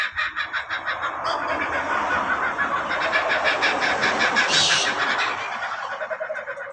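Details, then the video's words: Laughing kookaburra (Dacelo) giving its raucous laugh: rapid, harsh cackling notes, about three a second, swelling into a loud chorus and ending in lower chuckles. "Coba Dengarkan Berkicaunya Burung Ini Sangat Mengejek | LAUGHING KOOKABURRA"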